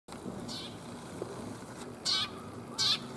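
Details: Sparrows coming in to be fed on 5 December 2021: two short, bright chirps about a second apart, each a quick downward-slurred note, over steady low background rumble.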